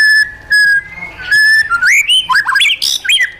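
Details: Wild-style song of a caged white-rumped shama: long flat whistles held then released into a fast run of bouncing, slurred, rising and falling notes.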